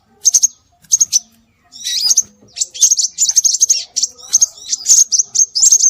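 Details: Scarlet minivet sound used as bird lure: a few paired high whistles, then a long, dense stream of shrill chirps and slurred whistles with little pause.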